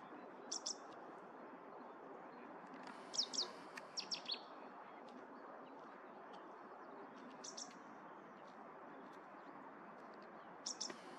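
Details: Singing Cetti's warbler recorded at Viersels Gebroekt on 9 March 2023, giving short, abrupt bursts of sharp, high, rapidly repeated notes separated by long gaps, with a fainter burst near the end against constant low rushing noise.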